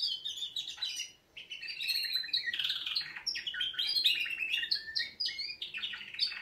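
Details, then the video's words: Wake-up song of canaries: dense, fast trilling and twittering, high rapid rolls shifting pitch every second or so, one brief pause near the start, then unbroken chatter. "Kanarienvögel Weckgesang |||Canaries wake-up song"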